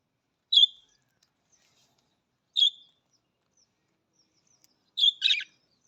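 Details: Budgerigar giving single bright whistled chirps about two seconds apart, ending with a chirp followed by a short buzzy rattle.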